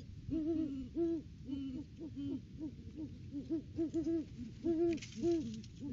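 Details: Male and female Great Horned Owl pair duetting near their nest tree in the off-season, 3 December 2022, on a live cam. Low hoots overlap rapidly, one voice slightly higher than the other, forming a busy, uneven stream of paired notes.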